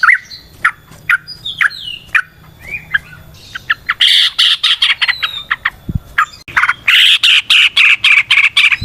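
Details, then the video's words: Yellow-vented bulbul in wild forest style, a natural recording played to lure other bulbuls: scattered short notes at first, then a dense burst of harsh chattering and quick bubbling phrases. "Trucukan GACOR ngalas ROPEL PANJANG suara alam AMPUH buat pancingan"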